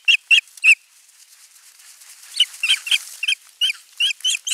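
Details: Osprey at a nest camera (nest 3) on 27 June 2022, bringing a fish and watching the feeding: sharp, high whistled chirps in quick groups of three, then a longer run of repeated clear kyew notes.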